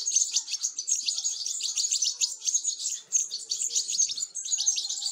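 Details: Nestling European goldfinches calling as they are fed, producing a frantic stream of thin, high-pitched chirps that pulse quickly and overlap, with brief dips in intensity around the third second.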